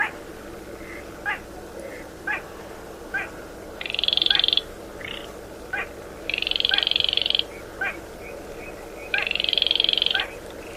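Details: Baillon's crake in the 'gõ ghẻ' calling style, used to lure birds into night nets: three long dry rattling trills, spaced a couple of seconds apart, with short knocking notes between them over low background noise.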